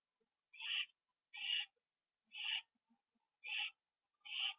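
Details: Owl at a nest where a bird was delivered as prey and eaten inside, at night around 9:54 PM on October 9, 2011; short raspy hissing calls repeated about once a second, each with a strong band and fainter lower harmonics.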